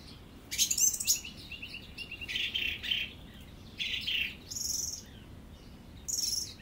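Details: Song thrush singing: loud high chattering burst, then buzzy mid-pitched phrases and repeated shrill squeaky notes, separated by short gaps, over soft background noise.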